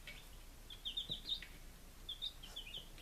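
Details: Chicks on their fifth day, Lunenburg, Massachusetts, 23 July 2017: soft, distant-sounding high peeps in two small groups of quick repeated notes against a quiet background.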